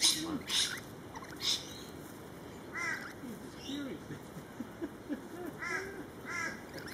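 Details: Lorikeets in a feeding frenzy: sharp broadband screeches in the first second and a half, then arched, harmonic squawks near 3, 5.8 and 6.4 seconds over a low, busy background murmur.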